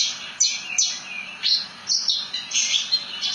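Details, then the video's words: Javan bush lark (branjangan) giving high, sharp, downslurred chirps and short buzzy bursts in an uneven, lively sequence. "Kicauan Burung "BRANJANGAN" Ngerol Nembak Mantap !!!"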